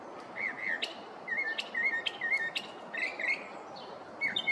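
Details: In a neighborhood at morning, a male Northern mockingbird cycles through its repertoire with short whistled slurs broken by sharp, high clicks, each phrase a brief warbling burst.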